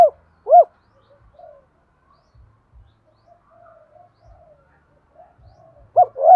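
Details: Decoy spotted dove, 'thổ' voice style, cooing to trigger wild doves to call. Two short arched coos open, then a long quiet stretch of faint murmurs, with a paired coo returning at the end.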